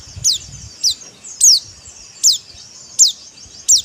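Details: Pleci, or white-eye, in dakbal-style song: six short, piercing chirps that drop steeply in pitch, spaced fairly evenly about every 0.7 seconds, over low rumbling background noise.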